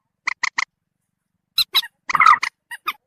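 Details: Lure call of a common moorhen meant to attract birds nearby: three evenly spaced clipped squeaks, a brief silence, then several higher notes and one longer rasping squawk.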